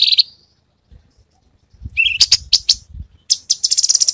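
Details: High cucak cungkok phrase, part of a gacor masteran recording rich in tembakan: a bright whistled note, a pause, then clustered sharp chips and rattles over faint low thumping.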